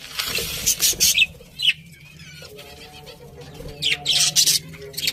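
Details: Budgie chirps come in scattered high bursts at the start and the end. Between them, quieter low steady tones are heard.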